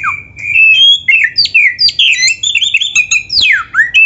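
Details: Oriental magpie-robin singing a continuous, loud 'full isian' song used to train caged birds, with rapid varied whistles, sweet slurred notes, and a sharply falling sweep near the end.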